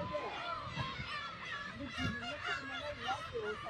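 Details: Black-tailed gulls at a breeding colony of about 30,000 birds on Kabushima, Hachinohe, Aomori, Japan, on 10 June 2020 when chicks are present; recorded with a GoPro HERO8. A dense, overlapping chorus of nasal mewing calls over a low rumble.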